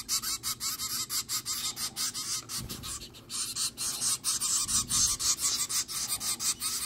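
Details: Baby zebra finches on day nine, being hand-fed in a makeshift cardboard brooder box, give rasping, hissy calls in rapid steady pulses, about two per second.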